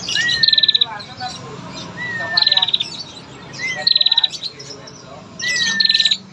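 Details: Lure call of a female bar-winged prinia meant to provoke males: a clear whistled slur joined to a fast dry ticking rattle, given four times roughly every one and a half seconds.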